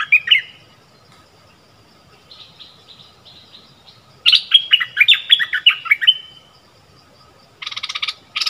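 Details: Decoy streak-eared bulbul calling in wild birds, January 2021. A short note group and soft mutterings lead to a loud bubbly phrase, then two harsh, buzzy bursts at the end.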